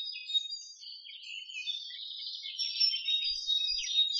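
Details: Jungle babbler: continuous busy chattering of high, squeaky, overlapping notes wavering up and down without pause. It sounds like several calls blended, with no other clear sounds.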